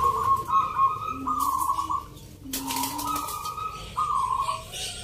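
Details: Contest zebra doves, local birds, at a Jogjakarta rhythm-song competition (Nglagu Ngepat Mentaraman) on Sunday 19 November. Overlapping trilled coos in sustained bars, with lower soft notes between and a sudden noise burst midway.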